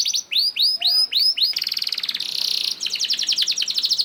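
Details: Canary singing a lure song to trigger other canaries: a series of arched rising-falling whistles, then a long rapid rattling trill, a dense buzzy stretch, and fast repeated chips.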